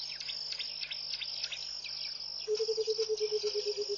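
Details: Burchell's coucal singing in the early morning at Pete's Pond, Mashatu Game Reserve, Botswana, in January: a low, bubbling series of rapid hooting notes begins midway and runs on, over a constant high insect trill and scattered bird chatter.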